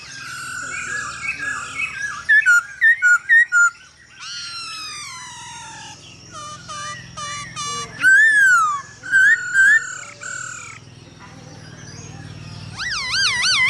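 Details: Chinese hwamei (Garrulax canorus), song: male singing in response to a female's calls.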